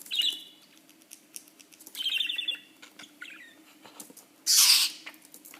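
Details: A playful budgerigar gives short, bright chirping bursts, with a broad rasping squawk near the end.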